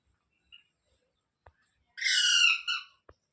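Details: Single drawn-out grating screech from a pet rose-ringed parakeet, steady and buzzy, with a short clipped tail note, set against near silence with faint clicks.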